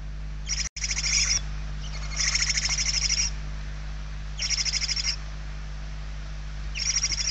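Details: Hungry barn owl chicks inside a nest in Spain, 28 November 2023, give long rasping hisses of about one second, in four bursts separated by quiet gaps, over a steady low hum.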